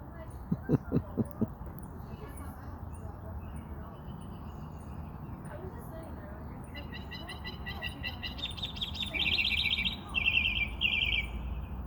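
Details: Birds chirping, with bright high chirps clustered in the second half, repeated quickly in short runs, above a steady low rumble and a few soft knocks near the start.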